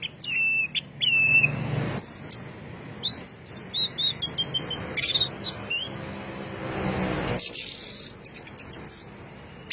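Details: Rich, mixed phrases from a champion orange-headed thrush singing 'gacor teler': paired down-slurred whistles, rising sweeps, quick chatter and a harsh, dense burst near the end, separated by short pauses.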